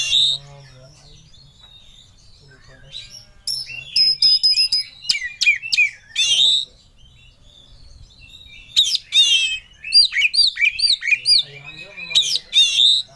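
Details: Kacer in full emotional song, calling for a rival: after a quiet start, a series of rapid repeated clicks and stacked tones, then dense bursts of sweeping whistles and trills repeated quickly toward the end.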